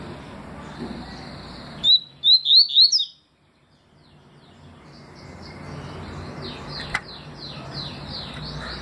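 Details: Papa-capim seedeater singing 'tui' in 2020: a faint held whistle leads into four loud, clipped, rising notes in a tight series, then a silent pause and distant softer chirping.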